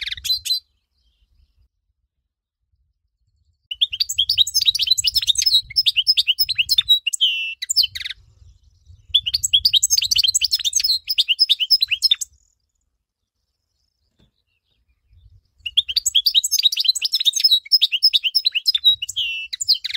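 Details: Goldfinch song used to train birds: three long bouts of fast, tinkling twitter mixed with buzzy notes and short trills, broken by quiet gaps of a few seconds, over a faint low rumble.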